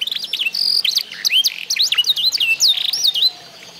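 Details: Eight-month-old F1SF canary, tutored on recorded song. Rapid high notes sweep up and down, with a few held whistles, in a busy warbling phrase that fades out near the end.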